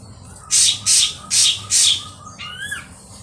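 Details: Ashy drongo lure recording: four loud, harsh squawks spaced about a third of a second apart, then a softer, rising-and-falling slurred whistle.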